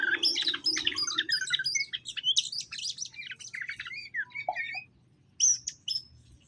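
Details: Greater green leafbirds, a caged male and female being matched to settle together; dense, fast jumble of chirps, whistles and squeaky phrases, pausing before a short final burst, over a faint hum.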